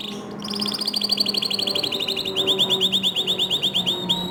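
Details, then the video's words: Canary in full song, meant to coax other canaries into singing: a sustained rapid trill of high repeated notes, dropping slightly in pitch halfway and turning into louder rolling pulses, over a faint low hum. "Masteran Kicau Kenari Untuk Memancing Kenari Lain Agar Ikut Gacor Dor"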